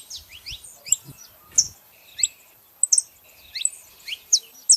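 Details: Female and male saffron finches making noise with sparse, high, thin chirps and short descending notes, irregularly spaced, with faint low thumps.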